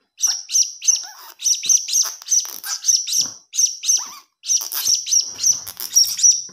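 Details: Blue-crowned hanging parrot chick calling for food, recorded as a lure: dense, shrill chirps packed closely together in bursts, the grouped notes broken by two short silences.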